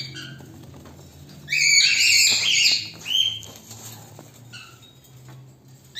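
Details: Lutino cockatiel (Nymphicus hollandicus) singing: a loud burst of bright, warbling whistles, followed by a shorter chirpy phrase.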